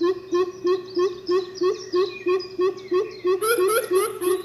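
Coucals hoot deep, hollow notes about three per second in a steady run, the voices overlapping as birds answer one another; thin chirps from smaller birds sound above.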